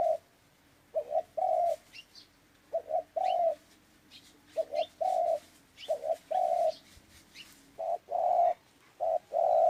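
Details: Clear dove coos in a repeating pattern of a quick doubled note and a longer level coo, phrases spaced about a second apart, with faint high chirping of other birds behind.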